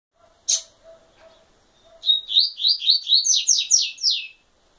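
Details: Double-collared seedeater song: one sharp high chip, a pause, then a fast run of about ten bright, slurred notes, each sweeping downward, climbing slightly in pitch toward the end. A faint low hum runs underneath.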